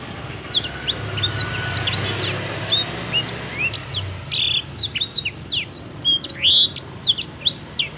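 A Black-throated Canary sings a fast, continuous twitter of thin, high, sweeping notes, tumbling without pause over a faint low hum.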